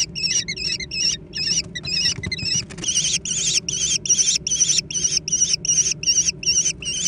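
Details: Young American kestrels fighting over a meal utter loud shrill, trembling squeals in a steady series, about two and a half per second, overlapping voices early on, low hum behind.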